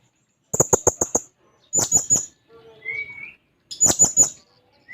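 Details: Blue-crowned hanging parrot singing actively while seeking a rival: bursts of four or five sharp, very high clicking chips, a softer three-note burst, and a thin rising whistle between them.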